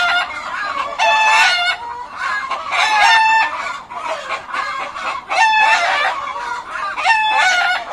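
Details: Flock of chickens in a coop giving loud, raspy, harmonic squawks and clucks, overlapping bursts with brief dips between them, numerous birds calling together throughout.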